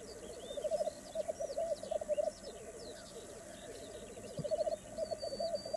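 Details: Black grouse males at a lek in Västra Götaland, Sweden, give low, dove-like bubbling, rolling phrases pulsing in quick bursts, with thin chirps from other birds above.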